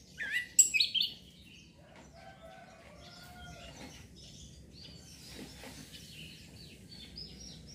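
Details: An Orange-headed thrush, a young bird, opens with a loud burst of sharp, sweeping whistled notes, then continues with softer scattered chirps and warbles over a faint hiss; the recording is meant to stimulate breeding condition and song.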